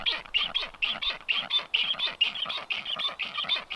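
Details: Black stork nest visited by strange storks on 9 July 2023; quick, croaking rasps follow one another about twice per second, fairly even in loudness.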